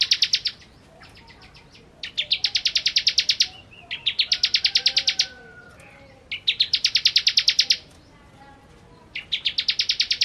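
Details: Ciblek, or bar-winged prinia, in kristal song: four long trains of fast, sharp, high-pitched repeated notes separated by short pauses, with faint lower whistles in the gaps.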